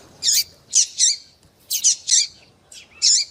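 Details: Excited female Double-collared Seedeater calling to arouse a male: loud, high, twisting chirps given singly and in pairs at uneven intervals, with a soft low murmur underneath.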